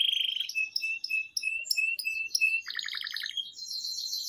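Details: Canary singing quietly, played to spark other canaries' song and teach young birds: short flat high whistles and clicks, then a rolling lower trill and a thin, steady high buzz.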